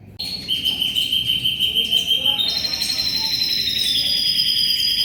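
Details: Canary singing gacor for shama tutoring: a long steady whistled trill, then a shift to a higher rapid rolling trill that continues without pause.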